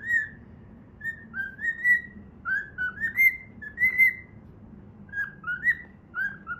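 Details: A pet cockatiel whistles the Pitagora Switch opening melody as it plays. Short rising whistles come in small clusters over a low indoor rumble.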